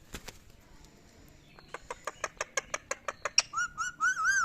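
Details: Indian ringneck parakeet kept as a talking pet: a steady series of sharp clicky notes about twice a second, followed by wavering whistled calls at the end, over faint background hiss.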